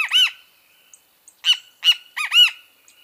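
A great kiskadee gives loud, harsh, arched calls in quick bursts, a pause, then a rapid two- and three-note series, the familiar 'bem-te-vi'.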